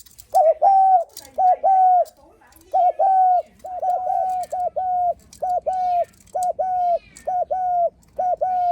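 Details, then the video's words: Spotted dove's greeting coo, said to mark guests arriving. A long, rapid series of paired coos, short then sustained, repeats about once a second. Faint chirping birds sound above. "Tiếng Chim Cu gáy khách có khách đến nhà là gù cực chất cu gáy chào khách"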